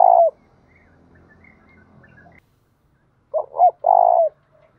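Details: Spotted dove used as a decoy for wild doves ends one coo, then after a pause sings a complete phrase of two clipped hoots and a long, throbbing low note. Faint background murmur.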